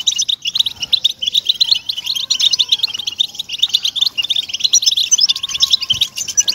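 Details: European goldfinch singing, a recording for encouraging captive birds to sing. A busy, high twittering stream of clipped, tinkling notes runs throughout, with soft, drawn-out lower whistles appearing now and then.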